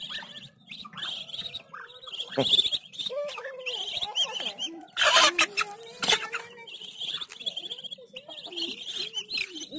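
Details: Morning feeding of young Muscovy ducks aged one week to one month: a steady stream of shrill, wavering peeps from several birds over lower murmuring tones. Brief clattering knocks and short bursts of handling noise interrupt the chorus.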